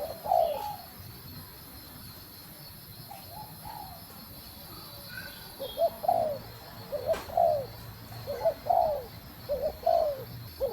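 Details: Female spotted dove calling to stimulate the male: after a few scattered coos, a quicker series of short falling two-part coos follows, with a sharp click midway and steady low background hum.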